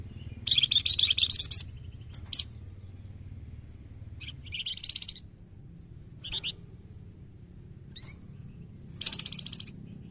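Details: White-rumped shama song used to stimulate other birds to sing: scattered chattering, buzzy phrases and single chips with irregular gaps, over a faint continuous high tone.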